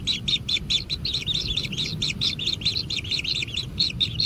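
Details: Hungry kingfisher nestlings being fed at their wild nest utter sharp, buzzy notes in a quick stream, a little over two per second, edgy and rasping, over soft low background hum.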